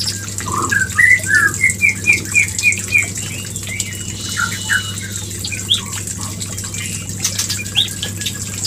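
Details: Breeding-lure song of the white-rumped shama: a series of about ten evenly spaced whistled notes, then sparse softer notes and a couple of high upslurs, over a low hum.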